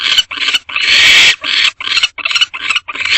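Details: Wild barn owls in a nest box, recorded at 1:10 am on 22 March 2025 while mating without any food delivery. Harsh, rasping, hissing screeches come in about eight bursts over three seconds. One long burst is drawn out near the start.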